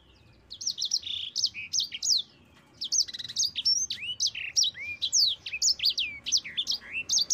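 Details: Mozambique canary, a local bird, singing a lively, long rolling song used as a tutor for training other birds: rapid high whistled notes with upward and downward sweeps, delivered in quick bursts with a short pause near three seconds.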